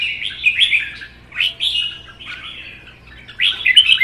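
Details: Red-whiskered bulbuls kept in cages and matched in a song contest, a captive-bred youngster and a wild-caught veteran, give continuous rich warbling phrases, slurred up and down, with brief breaks and a steady low hum.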